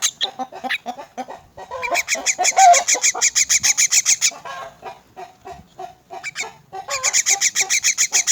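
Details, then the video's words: An orphaned, crippled myna being fed gives harsh, raspy notes in quick runs, about three or four a second, with short pauses between bursts. "Feeding orphaned and crippled myna"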